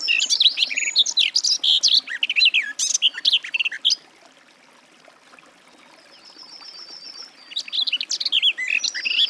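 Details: Garden warbler (Sylvia borin) warbles richly for four seconds, pauses while a thin, drawn-out high note sounds faintly, then resumes its fast, tumbling song.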